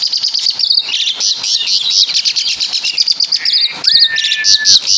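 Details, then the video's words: Asian pied starling of Javanese origin singing a song full of imitations of caladi and kapas tembak birds; a rapid stream of high chirps, trills and whistled notes, ending with a long, steady whistle held for nearly a second. "Burung Jalak Suren Full Suara Kapas TembaK"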